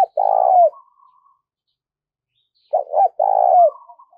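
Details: A lure spotted dove crowing to draw in wild birds. Two phrases: a long, buzzy, level coo dipping at its close, then a short double coo leading into another long coo. Light trailing notes follow.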